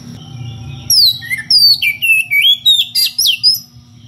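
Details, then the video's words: Oriental magpie-robin (kacer) calling a rival in full ngeplong voice: after a low hum, about ten loud whistled notes in quick succession, alternating rising and falling slides. "SUARA KACER NGEPLONG MEMANGGIL LAWAN DENGAN VARIASI SUARA ANEH"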